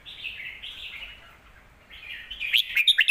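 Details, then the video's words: Short burst of caged red-whiskered bulbul song, used to teach young birds: slurred whistled warbles, a brief lull, then rising, emphatic chirping notes. "นกเสียงทอง วางเพลงใต้เสียงโตๆ(ไว้สอนลูกนก)"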